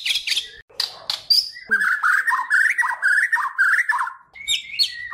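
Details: A white-rumped shama of the Kalimantan race, used as a master song for other songbirds, opens with a few high sharp notes, then pours out a long rolling warbled phrase of fluty mid-pitched whistles.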